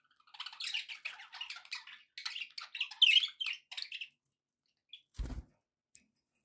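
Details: Happy pet budgies chattering indoors: a dense stream of scratchy warbles, chirps and squeaks for about four seconds, then a short pause, one low thump and a few faint clicks.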